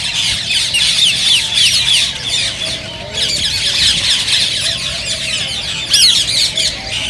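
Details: Many green ringneck parakeets chatter together in a sound meant to spur other parakeets into singing and mating. Shrill, overlapping chirps and screeches run steadily throughout, with a brief dip in volume midway.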